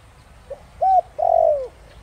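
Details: Spotted dove cooing in the Thổ Đồng voice style, used to lure wild doves into calling back: a faint short note, a smooth arched coo, then a longer, louder, slightly throbbing coo that slides downward.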